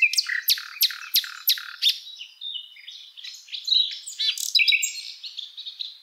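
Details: Common nightingale song: a run of loud, sharply repeated broadband notes, about five in quick succession, then a varied, rapid jumble of whistles, chirps and trills at high pitch, clean with no other sounds.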